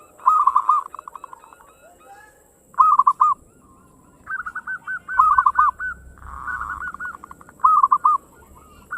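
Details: A local zebra dove, used as a lure to prompt other doves to sing, gives quick bursts of soft, rolling, bubbly coos, with a new phrase every two to three seconds. A faint low hum sits underneath.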